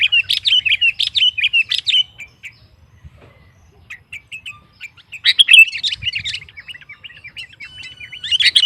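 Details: Excited song of a sooty-headed bulbul aimed at stirring other bulbuls: fast chattering runs, a near-silent pause with scattered soft notes, then a renewed rush of chirps.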